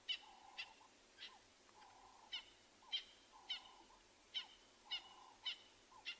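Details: Francolins calling during a quiet morning game drive in a private game reserve in South Africa on 25 July 2020. Sharp, bright notes repeat about twice a second over a low, steady droning bar sound between them.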